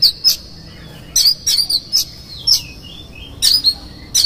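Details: An Oriental magpie-robin delivers lure song in the konslet style with rough fill phrases, intended to provoke other magpie-robins: high piercing whistles alternating with gritty rasps, separated by short silences.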